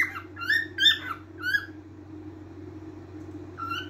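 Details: Whistled cockatiel song: a run of short bending whistles, a pause, then a rising whistled note, with a constant low electrical hum behind.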